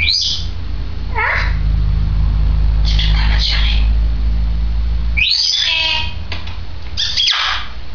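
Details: A two-year-old female grey parrot, recorded on 16 May 2010, mixes rising whistles, a descending slurred note and rough squawks amid a steady low hum, with pauses between bursts.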